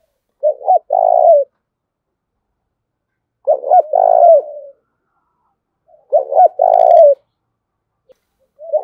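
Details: Spotted dove decoy coos to spur fighting: three strong phrases roughly every three seconds, each two quick notes and a sustained throaty coo, with a faint higher chirp over the third.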